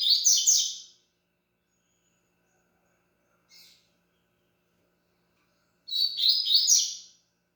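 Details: Double-collared seedeater delivering two short bursts of fast twittering, warbled notes about five seconds apart, with a brief faint note between them and otherwise silence.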